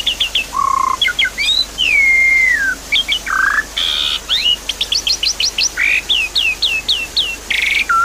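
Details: Javan pied starling song, played as a lure to coax a caged bird that has stopped singing: a rapid mix of clear whistles, rising and falling slurs, buzzy bursts and quick repeated chirps near continuously throughout.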